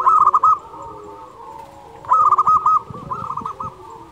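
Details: Local zebra dove song meant to train silent doves and raise their excitement: two loud bursts of rapid throaty coos about two seconds apart, each a rolling stutter of notes, with quieter cooing doves between.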